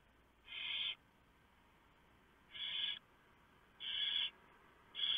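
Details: At a barn owl nest before dawn on 3 November 2015, the female tears up a large mouse brought by the male for the owlets. Four rasping, breathy hisses, each about half a second long, sound against a faint hum.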